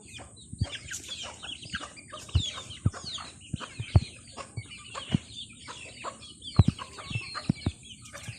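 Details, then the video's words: Chickens calling while eating: many high, down-slurred peeps overlap continuously, with sharp pecking knocks and clicks scattered throughout. "Funny Chicken Eating || Funny Chicken Sound"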